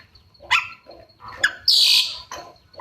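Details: Oriental magpie-robin giving lively song with mimicked inserts: a few sharp rising notes, then a loud harsh buzzy burst and a short final note, with quiet gaps between.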